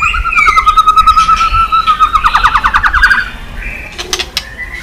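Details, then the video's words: White-rumped shama flicking its tail and singing, a recording used to rouse rival shamas; a long level whistle gives way to a fast pulsing trill, followed by softer high notes and clicks. "chòe lửa tạch đập đuôi sàn cầu dùng kích lửa cho chòe lửa lên lửa cực nhanh hót.Chòe Lửa đánh đuôi"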